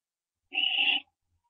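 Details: Barn owl owlet at the nest around branching, 4:07 AM on 15 September 2011; a single loud rasping hiss lasting about half a second in otherwise quiet surroundings.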